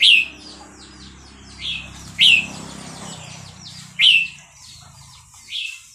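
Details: Red-whiskered bulbul, of the Burmese type, from Dan Singkhon: loud, sweet whistled phrases about every two seconds, each fading into quick softer twitters, over a low background hum.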